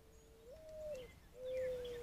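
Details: Doves on a deck, picked up by a trail camera, giving soft low cooing: a long drawn note that lifts and falls, a pause, then a second level coo, with faint higher chirps of other birds behind.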